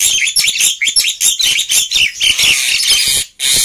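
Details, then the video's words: Black-winged myna in chattering song, used to get reluctant birds singing: rapid, sharp squeaky notes and rasping chatter in steady quick pulses, with a few thin whistles and a short pause before a final burst. "Kicauan Burung Jalak Putih Gacor Ribut || Pancingan Burung Jalak Malas Bunyi"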